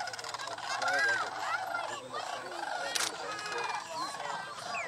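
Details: Sandhill cranes gathered by the thousands on Paynes Prairie, North Florida, during annual migration: loud, rattling trumpeted calls with rising and falling inflections pour out of a massed flock, overlapping constantly, with one sharp broadband crack midway.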